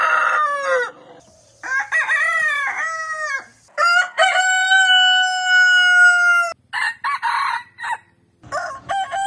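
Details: Several rooster crows from a compilation of breeds: a rough opening crow, a wavering multi-part call, then a long, clear, level crow held over two seconds before falling. Short choppy fragments of further crows follow.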